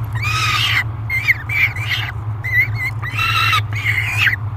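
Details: Young peregrine falcon screaming while being fed at a nest box in July 2021; rough, rasping wails alternate with shorter bent squeals, five bursts in under five seconds, steady low hum underneath.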